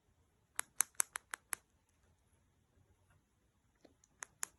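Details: A male cockatiel makes sharp, dry tongue clicks in a quick burst of five, then a few more; tongue clicking is a male territorial posturing or attention-seeking behaviour, read with body language.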